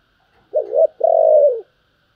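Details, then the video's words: Single song phrase of a Spotted dove in the gáy thúc and gáy gọi styles: a short two-note coo, then a longer sustained hollow coo sliding down at the close, in otherwise quiet surroundings. "tiếng cu gáy Thúc và gáy gọi"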